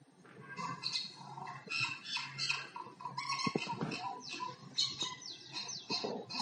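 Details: Common myna making different sounds like singing: varied chattering notes, harsh squawks and short whistles in quick succession, mostly high-pitched, with some low background hum.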